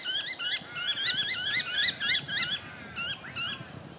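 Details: Two young tawny frogmouth fledglings with their family at night in Melbourne, Victoria, in October 2020 give rapid bursts of high, squeaky, bouncing chirps, several per second, in short runs with brief pauses; the background is otherwise quiet.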